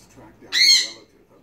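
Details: A pet Monk (Quaker) parakeet that talks in Spanish and English gives a brief, harsh, voice-like burst of talking, bright and nasal in tone.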